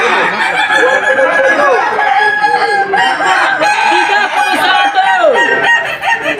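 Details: Crowing contest in Sawahlunto, West Sumatra, 2025 Boko final, the highest class for Kukuak Balenggek chickens, whose crow has at least five tiers. Sustained harmonic crows with falling end notes layer over one another amid crowd noise.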